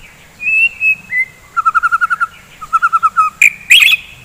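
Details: In the morning, a white-rumped shama sings to stimulate fighting birds: two clear level whistles, then two bursts of rapid, evenly spaced piping notes, ending in harsh broadband chatter.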